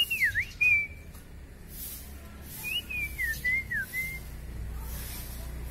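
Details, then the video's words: Long-tailed white-rumped shama, gacor mutah isian style: two whistled phrases, the first a quick dip and rise into a held note, the second a wavering slurred run ending on a level whistle, against faint background hiss. "Murai batu K.L ekor terpanjang gacor mutah isian"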